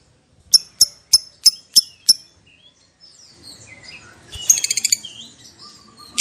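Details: Lovebird giving six sharp, high chirps at an even pace, followed by a softer jumble of chattering notes and a brief burst of rapid high twitters near the end.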